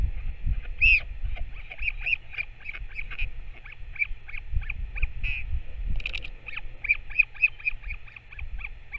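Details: Northern royal albatross chick being fed by a returning parent, 21 May 2024; long, near-continuous chatter of short high peeps, several louder, running throughout amid gusty wind rumble.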